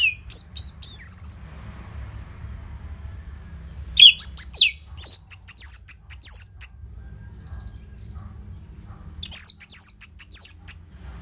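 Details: Orange-headed thrush (Geokichla citrina), a kept songbird in northern Bali (Singaraja), singing loud, high, rapid phrases of sweet whistles and slurred notes in three bursts, separated by short pauses, with a faint background hum.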